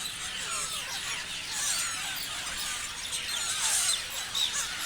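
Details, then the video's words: A crowd of parrots keeps up steady shrill chatter, with sweeping chirps that bend up and down and a cluster of louder, piercing squeaks about two-thirds of the way through. "Parrots chirping sounds"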